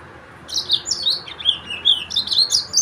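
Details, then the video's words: After half a second of quiet, a Yellow-fronted canary breaks into fast, high, sliding chirps that ripple up and down in a steady twittering stream. "تغريد فرخ السودان موزمبيق"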